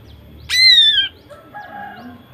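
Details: Female greater green leafbird, whose song is used to provoke male birds into singing. One loud, arched, whistled call that falls away at its end, followed by faint soft chirps in a quiet background.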